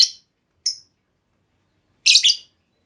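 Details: Female lovebird lure call meant to draw another lovebird into long trilling: three brief shrill chirps in a quiet setting, two short single notes followed by a doubled burst.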